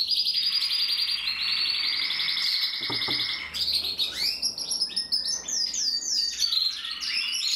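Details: Gloster canary song: a long, steady rapid trill lasting about three seconds, a brief click, then quick varied chirps and short trilled phrases at high pitch.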